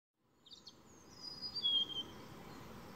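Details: A singing European robin in a noisy spot gives a brief phrase of high, thin notes: a quick trill, then drawn-out sliding whistles, over a steady background hiss; it later flew to the ground to catch something.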